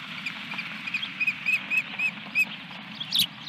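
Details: Osprey at a nest at Dunrovin Ranch, 17 May 2021, around a fish delivery: a short run of clear, arched whistled chirps, evenly spaced about every quarter second, then a brief harsher burst, over a steady low hum.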